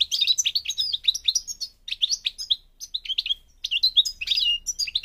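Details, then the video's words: Moroccan goldfinch, North African parva form, in fast continuous song: liquid twittering notes and quick trills strung together, with brief breaks between phrases. "The Goldfinch's Song North Africa - Parva Morocco Bird Song"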